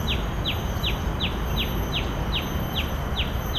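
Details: A common tailorbird at Bidadari, Singapore, gives sharp, high, downslurred notes, about three each second in a steady run, over a constant low rumble.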